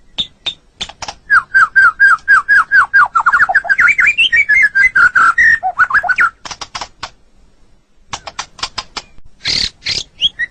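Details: Tutoring song of a white-rumped shama for pet birds: a long run of quick, evenly repeated whistled notes that rise slightly then fall, followed by sharp high clicks after a short gap.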